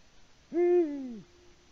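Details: A male Eurasian eagle-owl at a Latvian nest camera, hooting at about 18:06 on 6 March 2019 with no female answering, gives one deep, drawn-out hoot under a second, steady then sliding lower as it fades; faint hiss.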